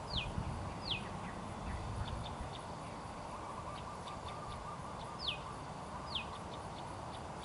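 A Black-thighed falconet gives thin, shrill, downslurred notes in spaced pairs, over a steady low rumble of background noise.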